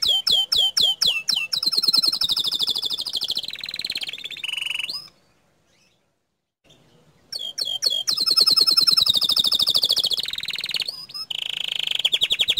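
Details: Canary singing in gacor dor style: bursts of rapid downward-sweeping whistled notes run into fast rolling high trills, broken by a silent pause of about two seconds before the loud trilling resumes.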